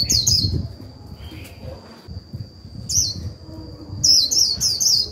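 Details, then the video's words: Lure Japanese white-eye singing líu to set off other birds: short clusters of high, quick twittering chirps separated by pauses, a fast run of repeated notes near the end, a continuous thin high tone and low noise throughout. "Khuyên mồi líu vừa phải kích bổi líu ngay!"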